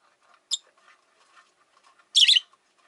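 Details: A short sharp chip is followed by a longer, grating, buzzy shriek from rosy-faced lovebirds, five caged birds by a window, over faint soft chatter.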